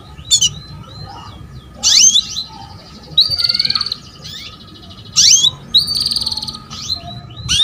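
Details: Calls of a female canary meant to draw a male into singing: steep rising chirps alternating with dense, high buzzy trills, several bursts spaced one to two seconds apart on a faint steady hum.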